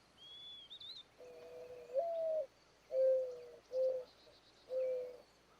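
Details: Courting male mourning dove in spring, North America, giving its low, hollow cooing song to attract females: a longer rising first coo, then three soft, even coos; a faint high whistle from another bird early.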